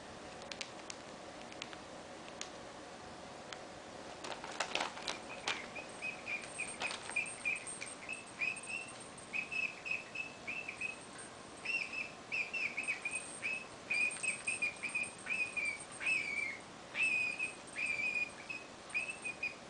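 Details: A female pet cockatiel playing with her toy gives short, bright chirps in quick, irregular bursts, with light tapping and clicks.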